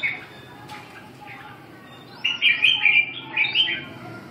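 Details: Red-whiskered bulbul song: after a quiet start with faint chirps, a lively run of loud warbling, looping whistled notes arrives in two close phrases; constant low hum underneath.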